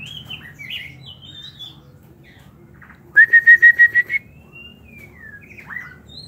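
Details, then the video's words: White-rumped shama raised in an aviary sings varied warbled phrases, then a rapid string of seven ringing whistled notes, ending in a long, smooth sliding whistle and a few high twitters. "Avi nuôi chích chòe lửa"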